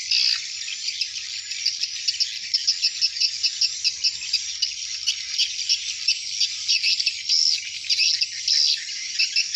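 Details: Swiftlets in their hundreds entering the nest at dusk: a constant high, insect-like rattling twitter with frequent short louder surges.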